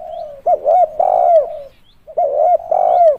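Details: Spotted dove kept for luring: a low humming coo leading into loud doubled hoots and a long falling note, with the phrase given twice.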